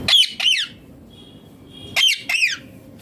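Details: Ringneck green parrot squawking: two quick pairs of shrill, grating screeches with a bent, up-and-down pitch, the pairs about two seconds apart, against a low indoor background hum.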